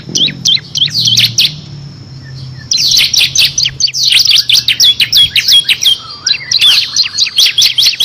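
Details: Actively singing bar-winged prinia (ciblek kristal) giving rapid 'ngebren' song with six variations, a master recording for competition songbirds; dense, machine-gun-like runs of high sharp chirps, with a brief pause and a soft low whistle.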